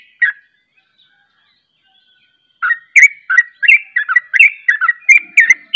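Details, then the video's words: Sooty-headed bulbul singing in the rapid 'ropel' style, with another bulbul joining in. A single note, then a pause of about two seconds, then a fast run of bubbly, slurred whistled notes that rise and fall. "Ropelanya Bikin KAGET Trucuk Lain Ikut Ropel"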